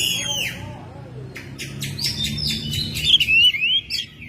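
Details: Oriental magpie-robin kept at home, singing in May. It opens with softer, lower falling notes, then clicks and a series of loud, bright whistled slurs rising and falling at a quick pace.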